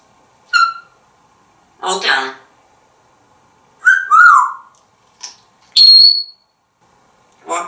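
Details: Pet African grey parrot perched on a counter in a Texas home, mixing short spoken words with clear whistled notes, some rising and some steady, in quick, irregular bursts about every second and a half; indoors, no other sounds.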